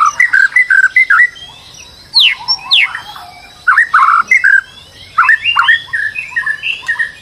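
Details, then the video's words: White-rumped shama, described as stressed and used as a lure to get another bird singing: four bursts of loud varied warbling, with rapid slurred notes and sweeping whistles separated by short pauses. "PANCINGAN MURAI BATU STRES AGAR GACOR"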